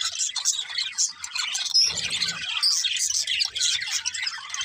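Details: Happy budgerigars (parakeets) singing and playing: a dense, nonstop chatter of high chirps, squeaks and warbles from several birds, with a brief low rustle near the middle.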